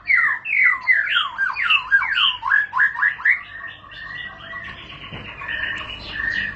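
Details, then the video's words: White-rumped shama (murai batu) sings ngentrok, a rapid string of loud twisting whistles that gives way to softer, buzzier sustained notes toward the end. "Murai batu bakal langsung ngentrok"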